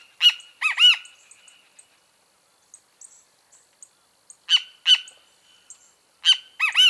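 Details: Great kiskadee calling in loud phrases: three strident notes, the last two arched. A long gap follows, with faint soft chips in the distance. Then two sharp notes and a closing pair of arched calls.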